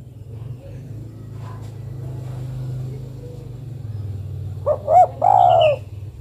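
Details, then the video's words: A female spotted dove calls for a male after a stretch of low rumbling background noise. Near the end comes a single phrase of two quick coos and a longer sliding croon. "Suara burung derkuku betina memanggil jantan"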